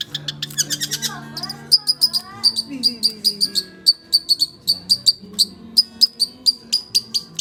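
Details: Oriental magpie-robin in continuous song, opening with rattling trills and slurred whistles, then settling into a sharp high note repeated about three times a second, steady and insistent, with a soft low murmur behind.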